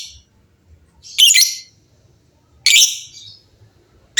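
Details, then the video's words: Many lovebirds answering each other; loud harsh squawks repeated roughly every one and a half seconds with silence between. "LOVEBIRD GACOR GAYA MEWAH SEMUA LOVEBIRD JADI BUNYI RIBUT BERSAUTAN"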